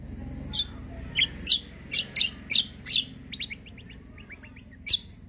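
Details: Greater green leafbird singing briskly: a series of sharp, high chips, then a quick run of softer descending notes and one last loud chip, over a constant low hum.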